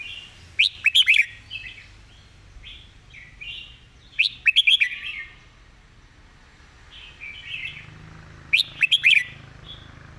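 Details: Three crisp, bouncy phrases of a Red-whiskered bulbul's master song, each four to five quick bright whistles, spaced by several seconds of softer, murmured warbling; clear phrasing and distinct notes throughout.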